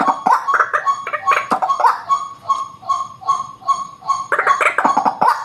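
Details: White-breasted waterhen call played to lure birds: a run of steady, repeated nasal notes between rougher grating bursts at both the start and the end.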